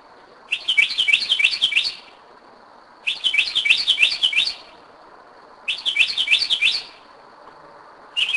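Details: Northern mockingbird singing at 2am in Kennesaw, Georgia, 2011, a bird returning to the same spot for several years: bursts of rapid, buzzy warbled notes repeated about every 2.5 seconds, over a steady faint high hum.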